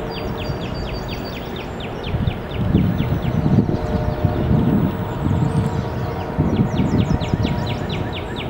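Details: A northbound migrant Bay-breasted Warbler sings two bursts of very high, thin notes, each a quick, even series of a dozen or so, over a steady low rumble; Scidmore Park, Three Rivers, Michigan, May 7, 2014.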